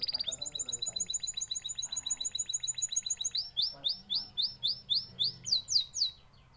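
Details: Canary song of fast, high trills that shift into a slower series of loud, sharp, rising chirps repeated several times a second, bright and ringing throughout.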